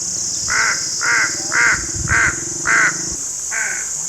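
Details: Crows, described as ravens, calling in a steady series: six harsh, hoarse caws spaced roughly half a second apart, each short and grating, over a constant high hiss and low rumbling background.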